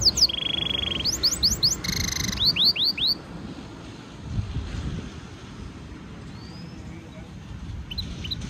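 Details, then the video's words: Stimulation song for training from a European goldfinch mule hybrid: a steady high buzzy trill and a run of downslurred whistles in the first three seconds, then near quiet with a few faint distant notes. "European goldfinch Singing Mule -Training - Jilguero Mulo - Carduelis carduelis - Stimulation song"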